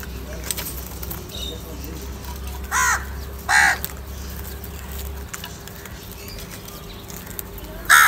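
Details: Crows calling, said to be fighting, angry and calling for food: three loud harsh caws spaced about a second apart, then another at the end, over steady low hum and faint background chatter.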